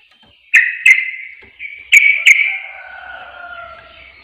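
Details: Sooty-headed bulbul lure sound: two pairs of crisp, clicking chirps followed by a drawn-out, wavering lower warble. Used to provoke reluctant birds.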